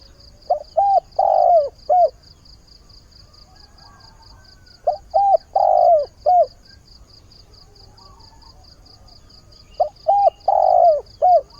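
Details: Spotted dove used as a caged decoy, calling for a mate at dawn: three matching low four-part coo phrases spaced roughly every five seconds, each ending in a long falling coo and a short final note, above a steady faint high pulse.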